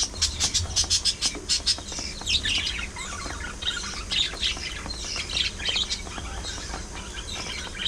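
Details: Pet budgerigars, a group of parakeets shown fighting, grooming, singing and talking, fill the air with busy chattering warbles: harsh squawks and quick high chirps tumbling over one another without pause, with a low background hum.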